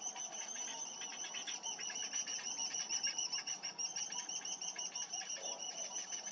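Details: Begging from week-old cinnamon bittern nestlings as the parent feeds them, a fast, slightly uneven series of high squeaky chips with a clear upper overtone, pulsing about three times a second.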